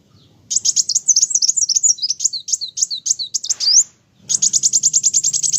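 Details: Continuous olive-backed sunbird song of high, chattering notes mixing rapid trills with varied zigzag slurs, a brief pause, then a fast even trill; faint low hum below.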